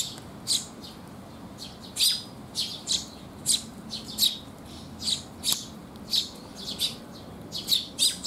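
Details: Rainy-day feeding visit by Eurasian tree sparrows, 19 June 2021: bright, high chirps repeat in uneven bursts of one to three notes, steady throughout, over a gentle background hiss.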